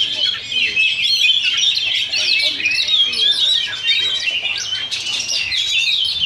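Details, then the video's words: Continuous, varied song from competing Oriental magpie-robins at a practice contest in Sindanglaut on a Sunday, session two. Sweet whistles mix with buzzy and slurred notes in an unbroken stream, with murmuring people faintly audible. "Oriental Magpie Robin Singing Contest"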